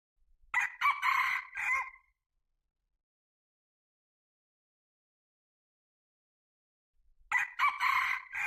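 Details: Two crows from a red junglefowl, each a brief harsh burst of choppy syllables trailing into a strained final note, about seven seconds apart with clean silence between.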